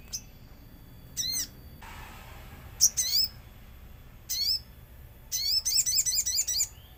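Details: Common iora lure recording with nature sounds, used to prompt other ioras to sing: short bursts of bright, hooked, high chirps separated by pauses, ending in a quick run of rapid sharp notes over faint background hiss.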